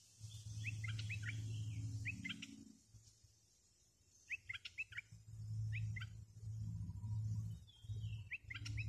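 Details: Bulbul kept as a decoy bird for luring wild birds gives short bursts of bright chirped, warbling notes in clustered phrases, separated by pauses, over a steady low humming rumble.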